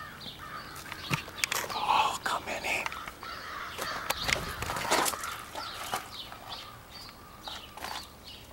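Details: A large gathering of crows, thought to be choosing mates, calling over one another in a dense chorus of harsh caws; many overlapping birds with clicks and sharp knocks throughout, and a human voice briefly.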